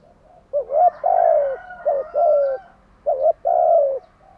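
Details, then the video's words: Close, loud morning cooing of a kept spotted dove in a standard style: three phrases in quick succession, each a short doubled coo leading into a longer mellow coo that falls at the end. "Tiếng chim gáy buổi sáng"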